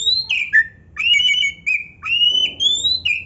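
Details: Oriental magpie-robin singing loud 'gacor' song: sweet whistles glide down, hold level, then climb, linked by brief sharp notes, with a soft low rustle in the background.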